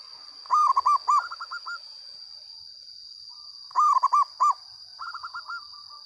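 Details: Local zebra dove singing loudly: four strong, arched cooing notes followed by a softer rolling series of quick coos, the phrase repeated about three seconds later, with a steady high whine in the background.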